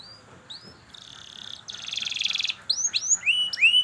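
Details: Canary lure song for teaching young canaries to sing: sparse rising whistled notes, then two buzzy trills, then louder upswept whistles.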